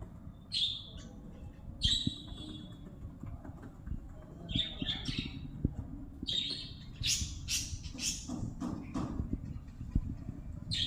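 Lovebirds give shrill, harsh squawks and screechy chatters in irregular bursts every second or two, over a steady low rumble of background noise.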